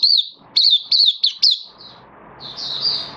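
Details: Hobby oriental white-eye in buka singing, 11 September 2022: five sharp, high, slurred notes in quick succession, then a fainter warbled phrase over soft background noise.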